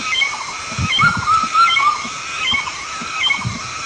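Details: A pheasant of Southeast Asia gives short, clear, slightly rising notes in quick uneven runs, about four a second, over low thumping noise.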